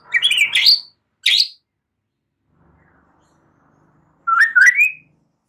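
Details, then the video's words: White-rumped shama, a young wild-caught bird past its spotted juvenile stage, used to encourage full singing: two short bursts of rising chirped notes, a pause, then a rising twittering whistle. "Memancing murai batu MUDA HUTAN dan LEPAS TROTOL agar GACOR NGEPLONG"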